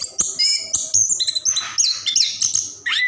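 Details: Continuous song from a caged orange-headed thrush, used as a lure for birds reluctant to sing; high thin whistles, noisy rasping passages and a final falling note, densely packed.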